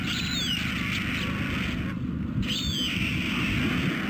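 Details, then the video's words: White stork chicks at Carpinis, Romania, begging for food on 12 August 2014, recorded by a webcam. A few high calls sweep sharply downward, with a gap in the middle, over constant hiss and low rumble. "Poor, hungry storklets"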